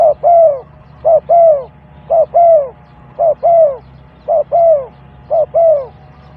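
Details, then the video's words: Spotted dove, described as a lure bird (terkukur pikat), giving low, mellow cooing phrases: a short coo closely followed by a longer, downward-curving note, repeated about once a second over six phrases. A faint low hum runs underneath. "Terkuku Pikat,Sound of dove bird,Cuckoo bird,spotted dove bird"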